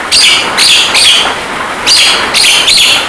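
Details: Rain-therapy masteran of a Javan myna for training kept birds to sing: bright high whistled notes in quick pairs and triplets, separated by short pauses, against a loud constant rain hiss.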